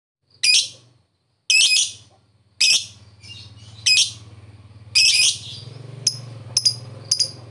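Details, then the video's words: Lovebird in the ngetik ngekek fighter style, played as a lure so silent lovebirds answer with ngekek: harsh, shrill chirp bursts about once a second, then quicker sharp ticks near the end, with a low steady hum beneath. "Lovebird ngetik ngekek fighter,bagus memancing Lovebird diam jadi nyaut"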